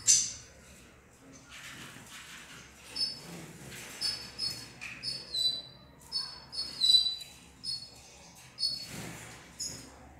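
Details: Female red siskins, described as acting up, giving high, thin twittering notes in quick bursts about every half second to a second, with a faint background hum.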